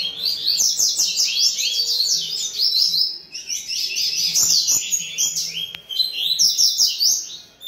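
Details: Chorus of captive double-collared seedeaters at a breeding facility: rapid, high, sharply modulated song phrases overlapping in long bursts, with pauses around the third and sixth seconds, plus faint clicks and a low background hum.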